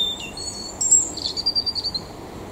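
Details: Mistle thrush song phrase of high whistled notes, sliding between pitches, followed by a fast, evenly repeated twittering trill lasting about half a second, with light outdoor background noise.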